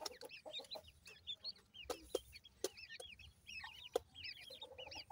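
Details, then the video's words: Fairly quiet high, looping chirps from grey francolin chicks (dakhni teetar), many curling up then down, broken by scattered loud snapping clicks. "grey francolin cute baby talk,dakhni teetar checks voice"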